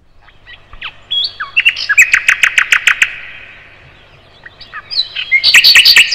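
A thrush nightingale sings loud, varied phrases: sharp whistles, then a fast run of about ten hard, knocking notes. After a short pause it starts a new rich, chattering phrase.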